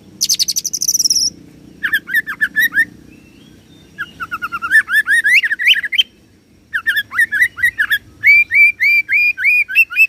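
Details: Oriental magpie-robin (kacer) loud roll song imitating cililin and serindit: a high rapid trill opens, followed by long runs of fast repeated slurred whistled notes, about three per second, with brief pauses.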